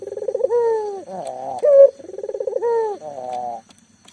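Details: Local collared dove, a lively caller used as a lure to get silent doves calling quickly, giving low rolling coos that break into a pulsed, stuttering phrase, then a sharp higher note, repeated about twice in four seconds.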